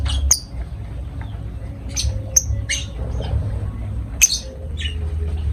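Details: Lovebirds producing repeated piercing chirps and shrill squeaks, spaced irregularly about every half second to second, over a low steady hum.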